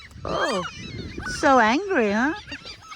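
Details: Angry mother gull in a school yard calling loudly, though her chick is not nearby: a drawn-out, wavering, nasal wail, then two long, loud, rising-and-falling cries, with a man speaking over the start.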